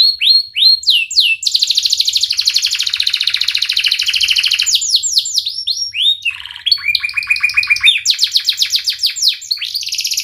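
A canary sings a long, varied song of bright rolls, rapid trills and repeated chirps.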